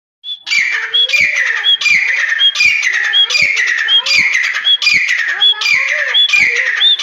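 A grey francolin gives loud, harsh, ringing phrases, each opening with a clear high note, repeated steadily about once every second.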